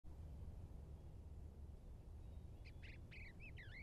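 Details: Bluebird at nest box number one, recorded 2 March 2023 on a Campark T100 camera: steady low rumbling background, then near the end a quick run of short warbled, chirping notes, some rising and falling.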